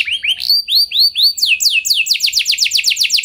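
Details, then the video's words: A canary sings to prompt other canaries into long rolled song, opening with slower arched whistles, then breaking into a fast roll of falling sweeps. "Pancingan Burung Kenari Nembak Mantap! Buat Kenari Lain Pasti Langsung Ikut Gacor Ngeroll Panjang"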